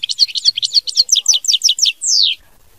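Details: European goldfinch, song in the 'mama binette' style: dense, rhythmic twittering of quick chirps repeated about five per second, closing with a long descending whistled slur. Clean, quiet background.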